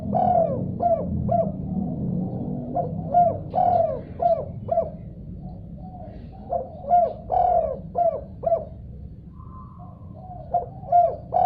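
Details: Spotted dove responding after hearing another dove, giving several phrases of rhythmic hollow coos, each a quick series with a longer emphasized note, the phrases repeated with short pauses, over a low rumble.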